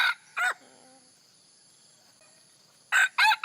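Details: Red junglefowl crow used to draw in wild junglefowl: two short harsh notes, a long quiet stretch, then three quick loud crowing bursts at the end.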